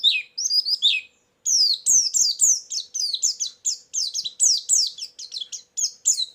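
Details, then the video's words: White-eye song for luring and training, very vocal: a tumbling opening of slurred whistles, a short pause, then a long series of fast, high, falling twittered notes with light tapping sounds. "suara burung pleci pikat+isian"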